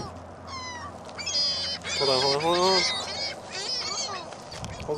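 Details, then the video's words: Gulls at a mall on a gusty Christmas Day 2014: a chorus of shrill, slurred squeals, then a louder descending wailing cry around midway, other birds mewing behind, over a steady wind roar. "Mall Gulls!"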